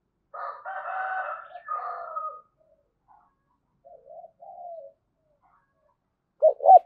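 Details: Spotted dove in thổ đồng voice giving cu gù coos of the thúc and gáy gọi styles: a long, rough, layered phrase first, then soft low murmurs, ending with a short burst of clear coos.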